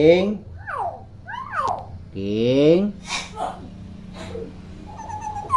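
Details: Chattering common hill myna, a speaking model for young mynas, mixes voice-like harmonic syllables with quick descending whistles and a short higher whistled phrase near the end, over a low hum.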